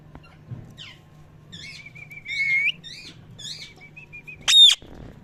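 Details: Parrot giving natural chirping sounds: a series of short, wavering high chirps over a thin, steady whistled tone, then one loud, harsh broadband squawk near the end, with a faint low hum in the background.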